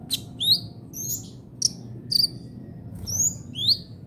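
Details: Kolibri ninja, the brown-throated sunbird, in trotol song used to tutor songbirds: separate high, quick upslurred whistles and thin chips, spaced irregularly, with a faint low background rumble.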